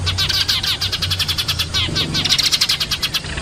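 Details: Many Eurasian tree sparrows giving rapid, sharp chirps in an overlapping chorus, a soft low droning hum beneath the birds.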